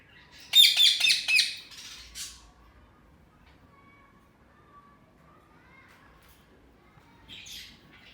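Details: Pet ringneck parrots let out of their cage give a burst of harsh, raspy squawks in quick succession, then a fainter screech near the end; the room is otherwise quiet.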